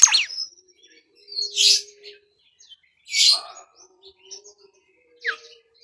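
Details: A Bimoli whistle used as a lure to draw other birds: a quick falling whistle, then harsh, buzzy chirp bursts about every second and a half, ending with a short high note.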